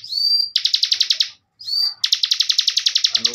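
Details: Bar-winged prinia, a caged ciblek bren master for young contest birds: a clear rising whistle leads into a rapid trill of repeated high buzzy notes. The whistle-then-trill pattern repeats twice.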